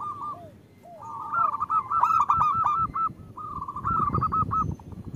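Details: Zebra dove female calling to the male to coax males into song; a few soft falling coos lead into long, fast, bright trills in two bouts, with low rumbling noise underneath.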